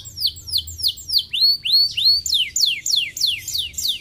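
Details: Canary song played to make birds sing: repeated descending whistles, a few rising arched notes, then evenly spaced loud downward-sweeping whistles.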